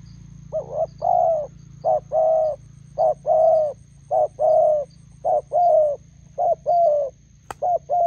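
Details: Spotted dove decoy meeting a wild bird by a roadside in Gia Lai, Vietnam; rapid regular cooing in short-long pairs over a faint low hum, with one sharp click near the end.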